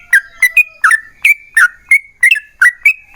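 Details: 'Ropel panjang' song of a yellow-vented bulbul, meant to make other bulbuls sing: crisp short gurgles, each with a clicky start, tumbling in a broken rhythm.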